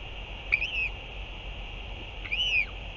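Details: Northern royal albatross at a parent's return and chick feeding, 8 June 2023: two faint, drawn-out whistled notes, each rising then falling, almost two seconds apart, over steady background noise.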